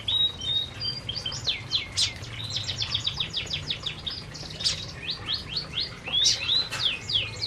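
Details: Canaries feeding together in an aviary give bursts of high falling chirps and short whistled notes, in quick uneven runs over a low background hum.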